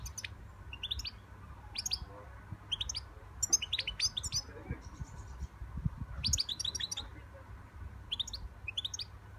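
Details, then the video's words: Young European goldfinch kept as a pet, singing a light, high twitter of quick chirps and short tinkling clusters in loose bursts, with soft low thumps and rustling underneath. "My young European goldfinch singing"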